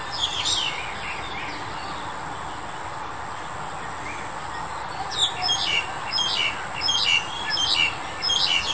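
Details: A black-collared starling, recorded in March 2021, gives harsh, squawky chattering calls in quick bursts, mostly in the second half, over a steady background hiss.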